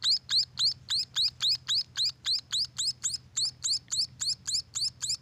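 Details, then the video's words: Rapid, regular rising chirps from munia chicks at a bird farm, high and thin, nearly four every second, with a quiet background drone. "suara anakan burung emprit"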